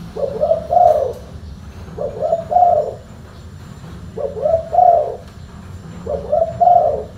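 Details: Spotted dove with a deep, full-bass voice cooing in four low, mellow phrases spaced about two seconds apart, each a quick lead note then a drawn-out coo, with faint background hum.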